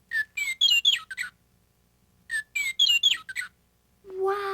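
Western Meadowlark sings two matching phrases, each opening with clear flutelike whistles and tumbling into a bubbling, gurgled jumble; a person's voice follows.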